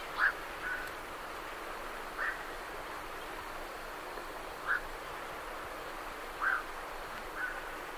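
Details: Night herons departing a roost give scattered short, hoarse squawks at irregular gaps of one to two and a half seconds, fairly distant and soft over steady background noise.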